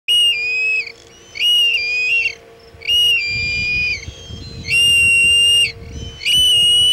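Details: Osprey at a Chesapeake nest on 22 August 2019, during a failed food delivery attempt. Loud, sustained whistled notes, each about a second long and level in pitch with bright overtones, come in five bursts separated by short gaps, over a steady low hum.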